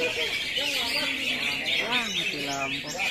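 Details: A Sooty-headed bulbul (Pycnonotus aurigaster) sings a dense run of bright, fast chirps and twittering phrases, high and continuous, with a low human voice murmuring underneath.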